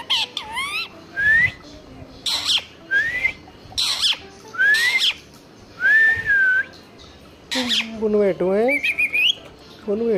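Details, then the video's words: Indian ringneck (rose-ringed) parakeet, green, pet male, whistling and talking in a happy mood: rising, slurred whistles and harsh squawks in short bursts about once a second, with a few talking-like notes. "Indian ringneck parrot || parrot whistle"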